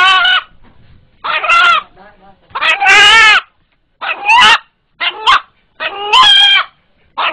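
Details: A pet rooster in Kaliyali village, Bangladesh, calls when frightened with a sound likened to "Allah Allah": about eight harsh, hoarse, often two-syllabled squawks, each under a second, with short gaps and faint voices behind.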